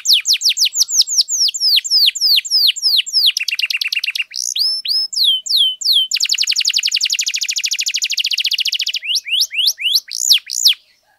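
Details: Canary in long non-stop 'gacor' song to rouse silent canaries: quick repeated falling whistles, a lower rattling trill, a few sweeps, then a long rapid buzzy roll and closing upslurred whistles.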